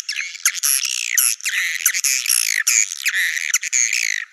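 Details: Continuous Naga Merah swiftlet chatter for drawing birds to nest sites: bright, metallic twittering with sweeping harmonic notes and occasional high squeaks, barely pausing.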